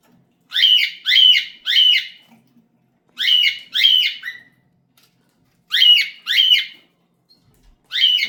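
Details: Cockatiels giving harsh, screechy calls with a slight downward slur, delivered in quick bursts of two or three notes separated by short silences. The background is quiet, with no other sounds.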